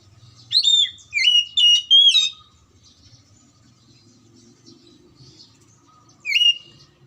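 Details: Oriental magpie-robin singing, used to coax silent or lazy birds into song: a rapid run of four loud whistled, warbling phrases, a gap, then one short sharp phrase; quiet background otherwise.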